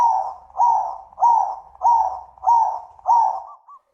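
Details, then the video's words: Zebra dove exchange with a loud voice: six rounded cooing phrases at steady intervals of about 0.6 seconds, ending in a quick soft trill. "suara panggilan burung perkutut - saut sautan - suara besar"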